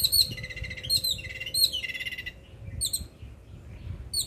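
Yellow-billed babbler giving harsh, squeaky chattering notes in quick bursts, with brief pauses between phrases; a low steady hum runs underneath.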